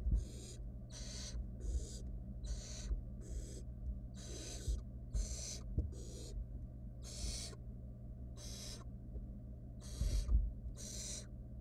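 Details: Barn owl nestling, wild, filmed in a research nest box while a rat goes down whole: a long series of short rasping hisses, about one per second, with soft knocks and rustles beneath and a steady hum.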